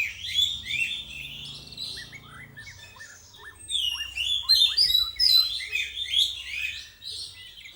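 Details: Varied, energetic singing from a young white-rumped shama being trained: dense clear whistles mixed with quick downslurred chips, rising in volume through the middle, over a soft low drone.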